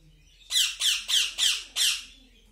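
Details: Hand-fed baby cockatiels beg with five rough, raspy, scratchy bursts in a steady rhythm, each sharp and noisy, separated by short pauses in a quiet room.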